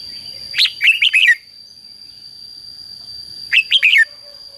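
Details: Red-whiskered bulbul giving competitive fighting song used to call wild birds and stimulate decoy birds: two quick bursts of three or four bright, warbled notes, separated by nearly three seconds of quiet, over a steady high electronic-like tone.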